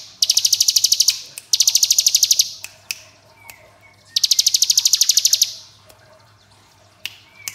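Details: Hill prinia in the rapid 'ngebren' style, played so young birds sing along: three long bursts of fast, evenly spaced high metallic notes, each roughly a second long, separated by short gaps with a low steady hum behind.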